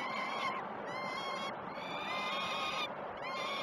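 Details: Peregrine falcon young at Great Spirit Bluff begging while being fed, 06:20 on 12 June 2018, via live nest cam; loud, harmonic screaming calls in bursts about a second long, with short breaks.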